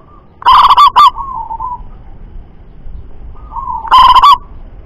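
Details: Local wild zebra dove, described as a loud, screaming, double-kuk singer, gives two loud, broken, clipped coo bursts about three seconds apart, each trailing into a softer, lower purring coo.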